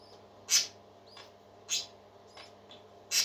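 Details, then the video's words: A caged parakeet gives a few loud, short, harsh squawks spaced roughly every half to one second, with faint soft chirps between them and a low hum in the background. "Happy Parakeets Singing"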